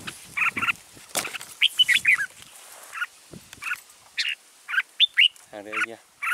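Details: Caged decoy red-whiskered bulbul singing to lure wild bulbuls into a trap at Kim Bôi on 6 April 2017: short bright whistled notes and quick slurred phrases scattered irregularly, with a brief low buzzy rattling sound near the end.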